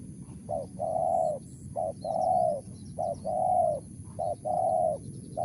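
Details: A wild spotted dove delivers Mersik-style calls, four short-long coo pairs in steady rhythm, the long notes smooth and low, with faint high ticking and a constant thin whine in the background.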